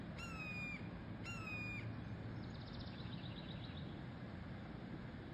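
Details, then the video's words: Two harsh, slightly falling screams from young red-tailed hawks at Sugar Beach, Leo, Indiana, follow each other a second apart, then a faint high trill from another bird is heard over a low rumble. "Baby red tail hawks making bird sounds"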